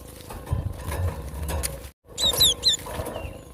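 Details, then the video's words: Wild cinereous tit singing in nature, a short burst of high whistled notes sliding downward in quick pairs, coming after a stretch of low rumbling background noise and a brief dropout. "Glatik batu gacor suara asli alam liar"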